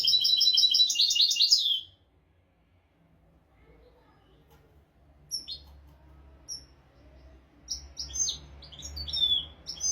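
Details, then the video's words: European goldfinch in royal tutor-song style for goldfinch and canary training; a loud, rapid twittering burst over the first two seconds, silence, then sparse thin chirps that gather into light twitters at the end. "تغريد طائر الحسون ملكي حفاضة لتعليم طيور الحسون والكناري بدون أخطاء"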